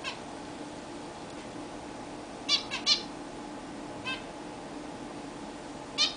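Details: Pet zebra finches during their first bath in a new, larger cage. Sparse, fairly quiet nasal calls: a quick group of three, a softer single and a final call, with steady indoor hum behind.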